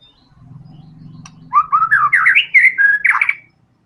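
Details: Vigorous white-rumped shama song, fighter style with varied fill-ins: after a low murmur, a loud two-second run of twisting, warbled whistles that climb and dip, with buzzy accents.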